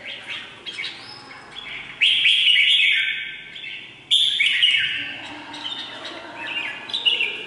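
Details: Displaying decoy Red-whiskered bulbul, 19 February 2023: loud sweeping whistled and chirpy phrases in two strong bursts, each sustained about two seconds, followed by softer twittering notes.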